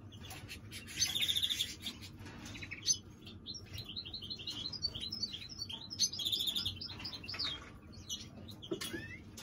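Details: Rapid twittering song from a greenfinch mule, with two bright ringing trills among scratchy chirps and short buzzes, set against low room hum.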